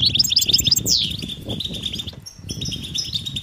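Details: European goldfinch chatter as mating calls to rouse a silent male: fast chirps and a descending squeal, then quieter twittering over low rumbling noise.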